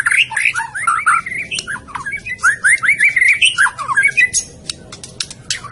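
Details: A Medan white-rumped shama sings quick strings of chirpy, swooping notes in rapid succession, pausing briefly, then adding high clicks.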